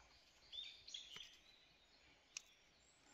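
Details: Newly hatched Grey-backed Thrush chicks: three thin, high, short whistled peeps in the first second and a half, then one sharp click, over a steady hiss of background noise.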